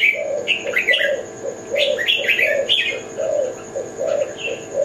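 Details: Spotted dove of the Kelantan type, its low rolling coos repeated steadily about once a second, while other small birds add bright, sharp chirps and rising whistles above.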